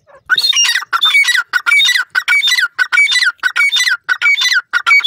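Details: Forest-dwelling grey francolins calling loudly in a rapid, rhythmic run of ringing, harsh notes, about twenty in five seconds, with little pause between them.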